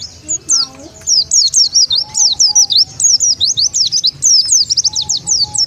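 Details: Oriental white-eye lure call meant to gather wild birds: a long fast series of high, thin, sweeping chirps, each bending up and down, pouring out nearly without break, with a faint lower whistle now and then.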